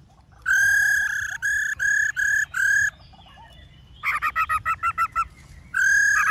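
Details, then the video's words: Black-throated laughingthrush, 'forest voice' song of many voices: five strong ringing whistles, then a fast stuttering series of short notes and a final sustained tone, over low background noise. "Khướu Hót giọng rừng NHIỀU GIỌNG"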